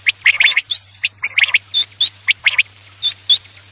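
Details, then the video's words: Rapid quail calls used to lure birds when hunting at night: quick clicking chatter and short rising whistles packed closely together over a low steady hum. "Batair ki awaz raat k liye|batair ki awaz shikar k liye"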